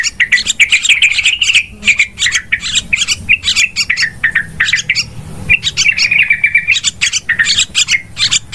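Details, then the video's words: Yellow-vented bulbul lure calls used for bird trapping, described as very noisy: dense, rapid chirping and chattering notes, bursts of sharp tweets overlapping continuously with brief pauses near two and five seconds. "SUARA PIKAT BURUNG TRUCUKAN PALING AMPUH 2020 Suaranya super ribut || pikat burung trucukan"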